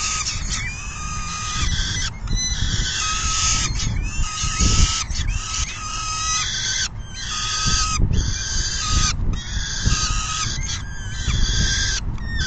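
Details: Peregrine falcon nest during a full feeding, June 10, 2022, 4:08 PM; strings of raspy, harmonic calls, some with short upward slides, repeat in blocks every second or two over a low hum.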